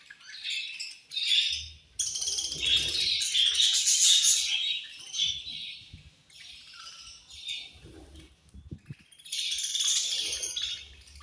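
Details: Caged budgerigars chatter while eating at food time, described as angry. Loud bursts of scratchy, high twittering and squawks alternate with quieter pauses, and soft low knocks are heard in the background.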